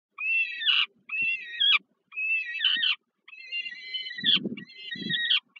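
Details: Peregrine falcon chicks at a nest in Warsaw's Żerań heat plant, Poland, begging at an evening feed by their mother on 15 July 2022: four harsh, wavering, harmonic wails about a second apart, with soft low thumps of feeding between.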